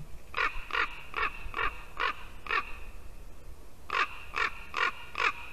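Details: Ravens at a Latvian white-tailed eagle nest, 2 December 2019, around 9 in the morning, calling near the brooding female. Six evenly spaced rasping caws roughly every half second, a brief gap, then four more in the same rhythm.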